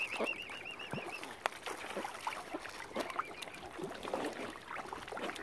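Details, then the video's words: Hungry mother swan, described as angry, at Lough Neagh in Ireland after algae destroyed usual food; short honks and grunting notes among splashes, while a small bird trills a wavering whistle at the start. "ANGRY MOTHER SWAN. HUNGRY AS ALGAE HAS KILLED NORMAL FOOD SUPPLIES."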